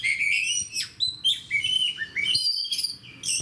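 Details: Fighter-style oriental magpie-robin singing 'gacor' beside other fighters: a run of whistled notes and slurs, some falling and others stepping upward, with short silent gaps and a quiet background.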